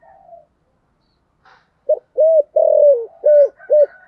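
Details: Caged decoy spotted dove calling in the 'thổ' voice at the start of 2023, delivering one cooing phrase of a clipped note, a rounded coo, a long descending coo and two short coos, with faint higher chirping.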